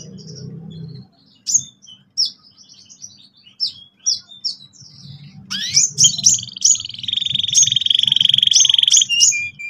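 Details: Canary singing to encourage young canaries to roll: scattered sharp chirps over a low hum, then descending whistled sweeps and a long, steady buzzy rolling trill punctuated by bright notes.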